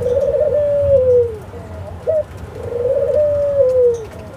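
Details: Two long, mellow coos from an Australian dove, each level and then gliding downward. A brief upturned note falls between them, with a steady low rumble behind.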